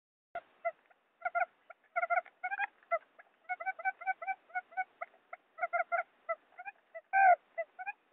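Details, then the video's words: Wild quail lure call: quick bursts of short, nasal, stacked midrange notes, repeated irregularly, with a louder slurred note near the end. "suara puyuh pikat"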